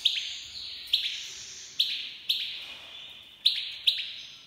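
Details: Iranian goldfinch, a Himalayan black-headed cross from Fars province, Iran: single sharp high notes repeated about once a second, each ringing on with a fading echo over a faint background hiss.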